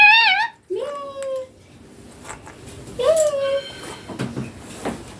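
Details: Green baby Indian ringneck parakeet vocalizing indoors: a wavering, warbled syllable, then two long, slightly falling speech-like tones separated by quiet rustling.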